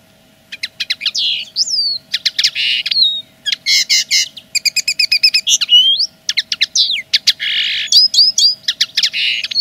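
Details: A common linnet claims its territory with a long, fast-flowing song of crisp chirps, buzzy rasping notes, rapid trilled runs and occasional rising whistles, almost without pause; faint low hum in the background.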